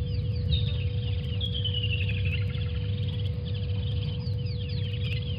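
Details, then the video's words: Calls of water thick-knees driving off vervet monkeys at Djuma waterhole, 28 November 2020: a clear whistle falling steadily in pitch with a trailing series of notes, and scattered short chirps from other birds over a steady low hum. "Water Thick-knees: How to chase away again, Vervet Monkeys"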